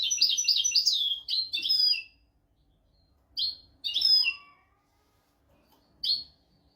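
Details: European goldfinch giving a royal-style tutor song meant to teach goldfinches and canaries: a rapid twittered phrase of high liquid notes for two seconds, then a few separate sharp chirped notes with silent gaps between.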